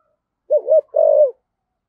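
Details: Spotted dove giving a single 'thổ sấm' style decoy phrase: a short wavering double coo, then one longer, even, low coo that fades out, with silence around it.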